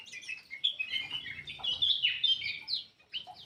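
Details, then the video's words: Black-crested bulbul song played to coax quiet birds into singing: a busy, continuous run of whistles and chattering notes over a soft background rustle. "PANCINGAN BURUNG MALAS BUNYI CUCAK EMAS \ KUTILANG EMAS GACOR"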